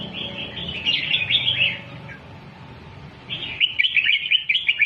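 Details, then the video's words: Red-whiskered bulbul in doubled teaching song for young birds: a lively warbled phrase of rapid chirps, a quiet gap, then a second brighter, faster run of sharp notes, with low background droning. "เสียงนกกรงหัวจุก สอนลุกนกแบบเบิ้ลๆ 2"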